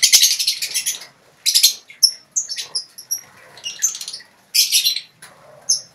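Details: Ngekek chatter from lovebirds in a colony cage: loud buzzy trilled bursts alternating with clear, thin, high whistled chirps, separated by short silences.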